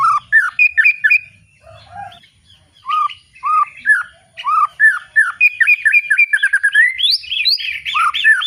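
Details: Loud white-rumped shama (murai batu) song in ngeplong style, varied and irregular: rich whistled phrases, downslurred notes and scratchy twitters with brief pauses, ending in a rapid burst of rising and falling whistles.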